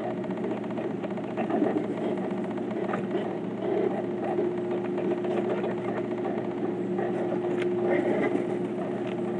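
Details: Constant idling engine drone with a steady low hum and faint rattling throughout.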